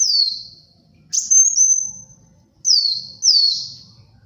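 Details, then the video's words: Sunbird of the brown-throated kind, singing vigorously for luring and tutoring: a series of high, pure whistles, each sliding down in pitch, with quiet gaps between. "SUARA BURUNG KOLIBRI WULUNG GACOR, UNTUK PIKAT & MASTERAN"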